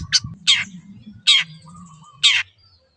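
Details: Four loud, grating squawks from a pendet, or long-tailed shrike, spaced unevenly over about two seconds, with a soft continuous low drone behind them.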